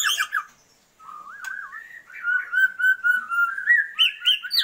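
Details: Female Oriental magpie-robin calling to a male to raise his breeding drive: a loud harsh burst, a pause, then wavering whistles and a rapid run of clear whistled notes that climb in pitch toward the end.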